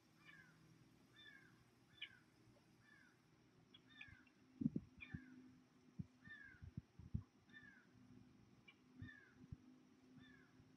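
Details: A bunch of ducklings in the 2018 goose and duck hatching season, recorded on the evening of 9 August: soft, falling peeps about once a second, with low knocks and bumps throughout.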